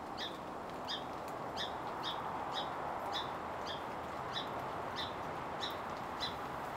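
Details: A Song Sparrow repeats sharp, high chip notes about every half-second in alarm over steady rushing noise, alarming near a Western Screech Owl tucked in a spruce amid salmonberry thicket; the sparrow and a junco had alerted to the owl.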